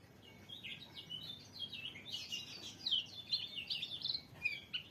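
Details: A pleci sings a rambling, rapid series of high twittering notes that swells in the middle, heard through a fairly noisy background hiss.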